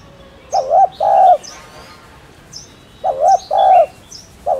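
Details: Spotted dove gives two coo phrases about two seconds apart, each a brief wavering note then a fuller held note, with a third phrase starting at the end. High twittering of other small birds is in the background.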